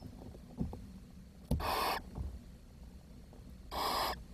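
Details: Nest of barn owl young, 10 June 2023, where the weakest chick died: two snoring hisses about two seconds apart, with a sharp tap just before the first.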